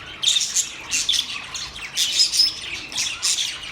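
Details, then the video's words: Singing budgerigars chirp in quick clusters of shrill, squeaky notes and short whistles, separated by brief softer gaps. "Budgies bird talking video | birds chirping sound | Singing Budgies sound"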